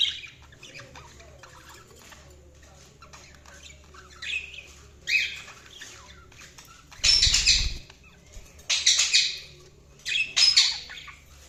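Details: Budgerigars chirping: scattered harsh, scratchy bursts of chirps, several in the last five seconds, with soft warbling chatter between them and a faint low hum in the background.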